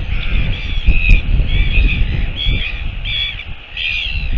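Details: A northern royal albatross, recorded 25 September 2022, gives a run of nasal, harsh, croaking notes, about one every second, over strong rumbling wind.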